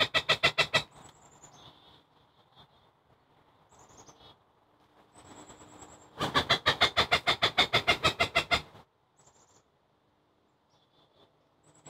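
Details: Agitated Cooper's hawk scolding and harassing a preening long-eared owl in Chicago on November 5, 2023: harsh rapid kek notes in a short burst, then a longer run of about twenty, with thin high whistles from small birds between.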